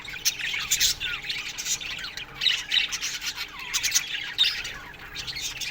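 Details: A budgie colony kept in an aviary chirps through the morning: scattered squeaky notes and short squawks over softer background chatter, with a faint constant hum.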